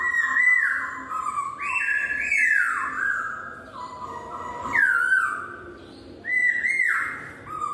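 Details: Laughingthrush in full song, said to make other laughingthrushes answer: loud, clear whistled phrases sliding up and down, some notes dropping steeply, delivered in quick succession with short gaps.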